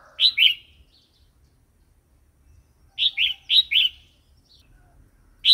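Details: Red-whiskered bulbul 'wild song' used for stimulating new and wild-caught birds and tutoring chicks: a quick pair of chirpy notes, a pause, then a four-note burst of rising-and-falling whistles, and another note beginning at the end.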